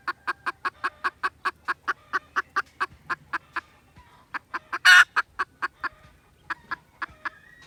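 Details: Red junglefowl clucks recorded 16 December 2021: rapid clipped notes repeated about four times a second, a short lull partway through, one sudden loud harsh burst, then sparser clucks with a faint thin tone at the close.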